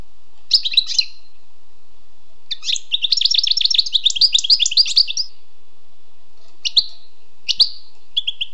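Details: A wild European goldfinch delivers a sweet song: an opening twitter, then a long rapid jumble of tinkling, buzzy trilled notes lasting nearly three seconds, followed by a few isolated chirps after a pause.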